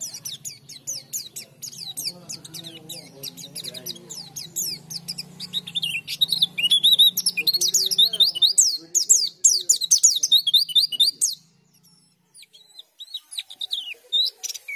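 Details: Oriental white-eye (Zosterops palpebrosus) song: a dense stream of thin, high twittering chirps, fast and jumbled, pausing briefly near the end, with a low hum underneath at first.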